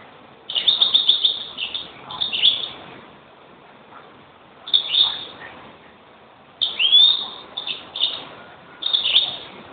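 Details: Greenfinch song given as separate phrases of fast, even trills and twitters, each lasting about a second, with quiet gaps of one to three seconds between them.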